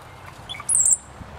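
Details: Puffing his chest at his reflection, a male cowbird gives brief low liquid notes, then a loud, piercing, very high whistle lasting about a quarter second, over faint low background rumble.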